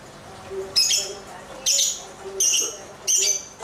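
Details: Lovebird calling while dancing about: four shrill, high chirps, each roughly a third to half a second long, spaced under a second apart, with a faint low hum underneath.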